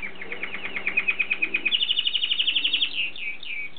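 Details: Courtship song of a canary, a rapid rolling trill of evenly spaced pulsed notes that quickens and rises slightly in pitch before ending in a few separate chirps, faint low room hum beneath.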